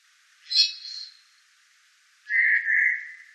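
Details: Eurasian jay calling by day: two harsh, rasping screeches about two seconds apart. The first is higher and noisier, the second lower and drawn out. No other sounds.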